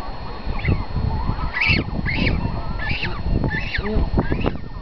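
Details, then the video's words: Cormorant chick being fed by its mother: a run of five strained, rasping squawks roughly every half second to second, with low rumbling underneath throughout. "Cormorant feeding her chick"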